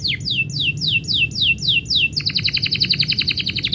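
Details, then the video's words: Canary singing as its owner is about to leave: a series of about ten sharp descending whistled sweeps, roughly three per second, then a fast buzzy rolling trill of rapid repeated notes. "kenari bunyi ketika yang punya mau pergi"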